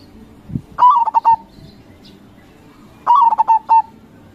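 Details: Lure recording of a strongly singing local zebra dove, crossing type: two matching phrases about two seconds apart, each a gliding coo followed by three or four rapid, ringing pulses, with a soft thump beforehand.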